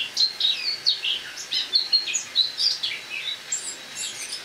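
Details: Autumn song of a caged Eurasian blackcap, filmed on the morning of 1 October 2017 after being brought indoors from a loggia to a kitchen to overwinter: a continuous warbling run of quick, varied chirps and twittering notes, with a quiet room background.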